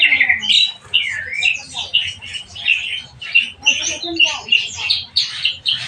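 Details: Captive black-winged myna (jalak kebo) under care, uttering a continuous jumble of harsh squawks, chattering and short whistles in rapid bursts, steady low hum in the background.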